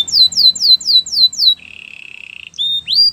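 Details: Canary song for wooing other canaries and for training: a run of seven quick, falling whistled notes, then a steady buzzy trill for about a second, closing with short rising whistles.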